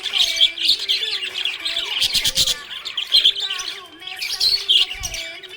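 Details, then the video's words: Happy budgerigar chirping: dense, fast warbling chatter with bright, scratchy chirps in a continuous stream, louder bursts around the second and fifth seconds, over faint low steady tones underneath. "Happy budgie chirping sound"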